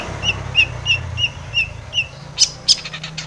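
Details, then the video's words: Long-tailed shrike, lure recording for provoking song: a string of six short, clear downslurred whistles about every third of a second, then two sharp high chips, over a low background rumble. "SUARA cendet gacor ATATCLETAT pancingan cendet agar bunyi emosi JADI burung pentet gacor full isian"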